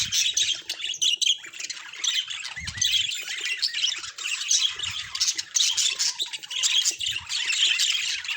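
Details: Natural recording of budgerigars chattering: rapid, overlapping high chirps and squeaky warbles rising and falling in loudness, with a few dull low knocks in between.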